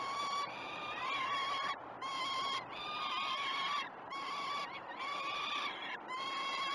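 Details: Peregrine falcon chicks begging during a feeding on a nest cam at Great Spirit Bluff, 12 June 2018; long, grating, slightly wavering wails repeated in bursts of one to two seconds with brief pauses.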